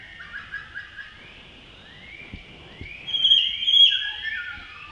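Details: At Tashiding, Sikkim, India, in May, a male blue-throated blue flycatcher sings a run of quick rising whistled slurs, followed by a louder, high, sweet descending phrase.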